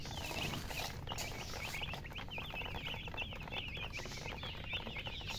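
A flock of chicks peeps nonstop, with many high, thin, rising-and-falling cheeps overlapping several times a second over a low background rumble.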